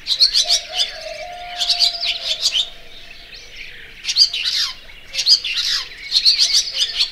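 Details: Barn swallow (Layang2 Asia) twittering busily: dense high chirps and slurred notes, a quiet gap near the middle, then more bursts, with a low tone early on.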